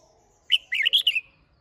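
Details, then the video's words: Single short phrase from a red-whiskered bulbul in competition singing (hót đấu): five clear, quick whistled notes, rising then tumbling down, ending in a trailing slur. "Chào Mào Hót - Kích Chim Hót Xung"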